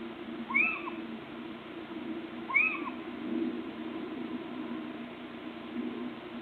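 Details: Little owl calling on 26 March 2014, two sharp rising-falling notes about two seconds apart, each with a lower hooped echo, over steady low background hum.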